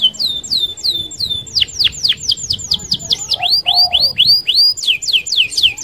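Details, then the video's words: Canary rolling song for luring other canaries: repeated falling whistles, a fast series of steep notes, then rising swept whistles, high and continuous. "SUARA KENARI Gacor Roll Sped Mantap - Cocok Buat Pancingan Kenari Anda."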